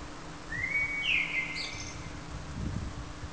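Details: Blackbird song phrase: one rising fluted whistle swelling into a brief, higher scratchy twitter, with faint low rumbling noise underneath.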